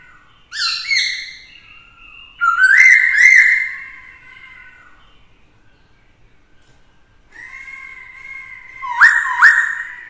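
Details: Black-throated laughingthrush singing in many voices to provoke rivals, a female present to excite the male: loud rich whistled phrases with fast rising and falling slurs, two bursts separated by a long held tone and a quiet pause.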